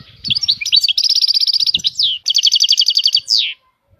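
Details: European goldfinch song, a fast liquid twittering with long trills of rapidly repeated bright notes, a short pause, another trill, ending in a sharp downward slur; faint low thumps early on.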